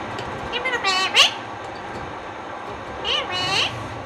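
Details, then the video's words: Indian ringneck parakeet talking: two short bursts of high, nasal, speech-like syllables with sweeping, wavering pitch, separated by about two seconds of quiet room hiss. "Indian Ringneck Parrot Talking"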